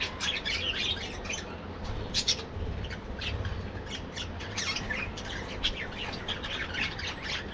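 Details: Budgerigars calling in an aviary colony: sharp squawks and quick chirps from many birds, uneven and overlapping, over low droning background noise.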